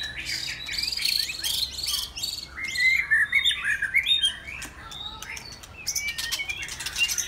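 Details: A white-rumped shama sings on a Saturday afternoon, pouring out fast chirps and fluid whistles, several notes per second, with bursts of buzzy, scratchy high notes at the start and end.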